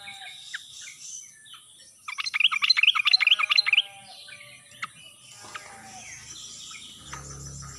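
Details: Sooty-headed bulbul lure in ngalas style to prompt silent birds to reply: a single lively burst of quick repeated chirps lasting under two seconds, followed by a few scattered notes and a faint low rumble.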